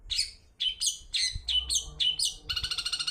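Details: Long-tailed shrike song used as a lure recording to prompt other shrikes to sing, in a 'toet toet' style: harsh, high chirping notes in uneven bursts, ending in a fast, even run of short repeated notes.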